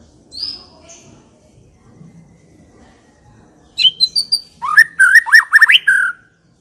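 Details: White-rumped shama singing as a lure to make other shamas respond, with a soft whistle early on, a quiet pause, then a loud burst of rattling notes and looping whistled phrases.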